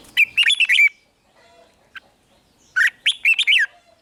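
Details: Red-whiskered bulbul singing 'rik' phrases, played to excite caged birds: two lively bursts of five or six quick, warbling notes, separated by about two seconds of near quiet with a single soft chip.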